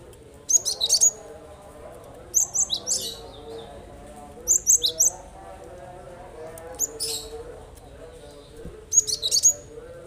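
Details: Gelatik batu (cinereous tit) singing to draw a response from quiet birds: five clusters of rapid, piercing high chirps roughly every two seconds, over a faint constant low drone.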